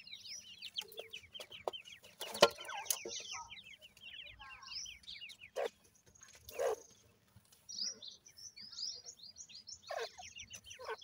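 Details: Young Grey francolins, male and female chicks kept for breeding, utter thin, quick, falling peeps in bursts, broken by several sharp knocks and clatters and short pauses.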